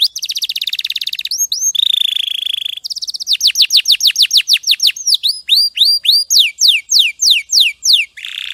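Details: Champion canary's tutor song: a dense buzzing roll, a steady mid-pitched rattle, then a long series of sharp downslurred whistles repeated about three per second, ending in a brief buzz.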